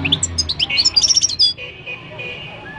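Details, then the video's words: Moroccan goldfinch giving a fast tumble of high tinkling and twittering notes that stops abruptly after about a second and a half, leaving a faint whistle-like tone and background hum. "تغريد الحسون المغربي chant de chardonneret marocain"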